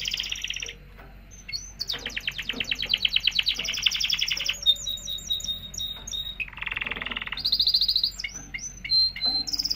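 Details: Canary singing to stimulate breeding, varied phrases: fast rattling trills, quick repeated upswept notes, a harsh lower buzzy section, then high whistles and trills again.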